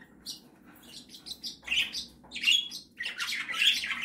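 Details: Monty, a 17-year-old male cockatiel bathing to wet his breast feathers for humidity for his eggs in the nest, one chick hatched, gives bright, scratchy chirps and harsh squawky calls in quick irregular bursts.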